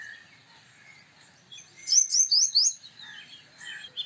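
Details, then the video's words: A short run of four bright, high, hooked notes from a male purple sunbird in the middle of the clip, with soft scattered chirps and faint whistles around it. "Purple Sunbird Song"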